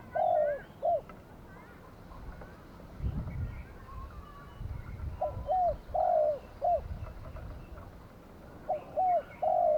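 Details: Spotted dove used as a decoy bird for trapping on a Saturday in Thailand, giving low mellow cooing phrases of two to three notes at irregular intervals, with pauses between bursts and faint other bird calls behind.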